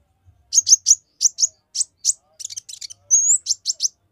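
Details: Olive-backed sunbird singing a rapid, closely fired song meant to provoke other males: short high sharp chips repeated quickly, a dry rattled burst near the middle, then a thin rising whistle followed by more quick chips.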